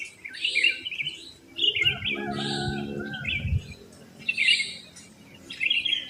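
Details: Wild sooty-headed bulbuls singing just after dawn in a residential complex where many live. Bubbly, warbled phrases come in bursts roughly every second, with a low cooing murmur in the middle.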